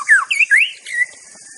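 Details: White-rumped shama in the wild giving a short burst of loud, slurred whistles that swoop down and then up, ending on a level held note.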